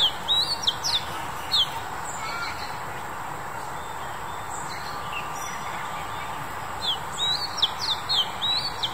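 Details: A male Oriental magpie-robin (Copsychus saularis), recorded in March 2021, sings bursts of varied, high, clear whistles and short slurred notes, pausing midway, over a steady background hum.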